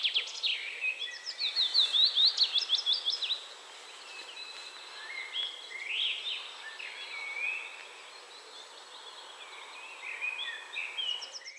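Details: Willow warbler singing a quick, high phrase of soft, sweet notes lasting about three seconds, with fainter warbling from other birds in the background, recorded in central Poland.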